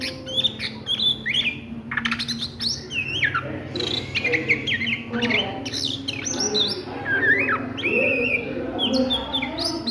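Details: Oriental magpie-robin singing in ngriwik style at midday: rapid run of varied whistled notes, many sharply rising or falling, packed closely with short pauses, over a steady low humming background.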